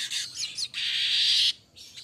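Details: Streaked weaver (Ploceus manyar) song: high chittering notes, then a long dry sizzling buzz held nearly a second, then a brief buzzy tail.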